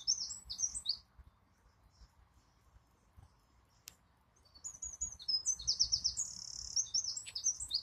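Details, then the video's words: A wren gives a short high burst of notes, falls silent for a few seconds, then launches into a loud, rapidly trilled phrase. "This is A Singing Wren"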